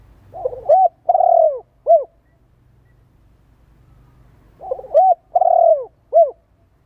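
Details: Spotted dove cooing used to stimulate and train decoy birds: two three-part phrases, each a short double coo, a long falling coo and a clipped arched note, separated by about three seconds of quiet hum.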